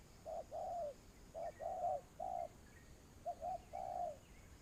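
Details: Spotted dove used as a lure bird for trapping, giving a low cooing phrase of short notes and longer downslurred coos, repeated in three groups; faint higher bird chirps behind.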